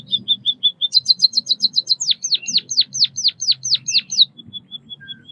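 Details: A white-headed munia sings level high pips, then a rapid stuttering run of very high notes. Next comes a string of strong downward-sweeping chirps, fading into soft even pips.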